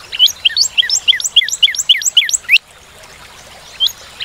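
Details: Northern cardinal giving a fast series of repeated upslurred whistled notes for about two and a half seconds, then near silence with one or two faint notes at the end.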